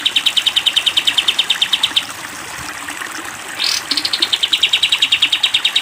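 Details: Sooty-headed bulbul, a cage-bird training recording in the long rapid-fire 'tembak panjang' style: fast trains of sharp repeated notes, about three per second, broken by a brief upward-sweeping chirp, over steady background hiss.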